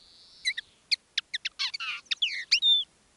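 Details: Caged decoy common linnet singing live, one of two birds in different styles: a thin sustained whistle opens, then quick clipped notes, a buzzy burst and a clear falling-rising whistle, against silence.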